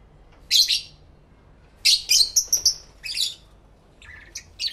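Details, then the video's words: Pet lovebirds chattering to each other, captured in stereo with two external microphones: bursts of shrill, high chirps in quick clusters, some doubled, then softer twitters; a voice speaks briefly afterward. "Lovebird Sounds"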